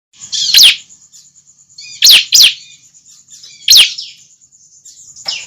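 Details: Juvenile bar-winged prinia call, used as a lure to draw other prinias close: sharp downward-sweeping high chips at irregular intervals, some paired, over a steady thin high whine.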